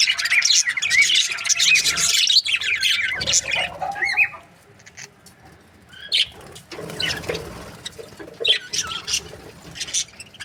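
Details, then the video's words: Budgerigars kept as breeding pairs, chirping loudly in the first half: dense warbled and scratchy chatter, then quieter gaps broken by short bursts of chirps and wing noise. "Amazing budgie chirping sound | breeding pairs"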